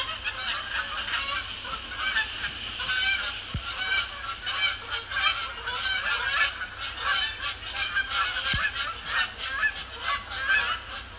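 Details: Many Canada Geese circle and descend onto Sapsucker Woods Pond on a heavily overcast October evening, 2017, after sunset; a steady din of harsh, nasal honks overlapping without pause.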